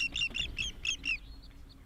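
Hamerkop giving five quick, nasal, squeaky yips about four to a second, then trailing off, over a faint low rumble.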